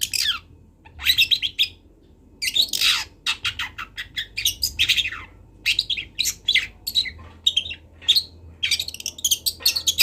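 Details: Speckled young long-tailed shrike, local Kendal bird, learning to sing: long runs of busy, scratchy warbling and twittering notes, very varied, with short gaps and a steady low hum beneath.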